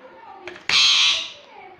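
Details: A pet Indian ringneck parrot (rose-ringed parakeet), talking, gives one loud, harsh, raspy utterance lasting about half a second after a few soft, muffled voice-like murmurs.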